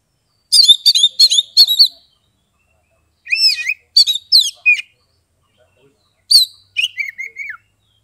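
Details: Caged Oriental magpie-robin (kacer) from Kebumen, Central Java, Indonesia, whose song is played to get mute or lazy birds singing: three loud bursts of quick varied whistles, slurred upsweeps and rapid trills, the last ending in a wavering descending whistle.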